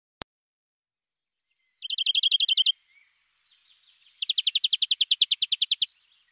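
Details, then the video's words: European greenfinch singing: after a single sharp click, a short rapid trill of about a dozen high notes, a brief pause with soft faint notes, then a longer, steady fast trill lasting nearly two seconds. "green Finch singing"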